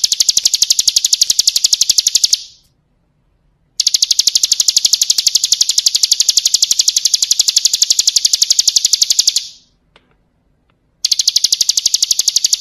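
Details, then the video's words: Bar-winged prinia, 'kristal' style, a song-training tutor recording: long stretches of dense, high, machine-like rattling trill, broken twice by a silence of about a second. "Masteran Suara Burung Ciblek Kristal"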